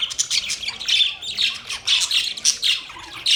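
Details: Budgies chirping in quick pulses, bright squeaky notes and warbles following one another several times a second.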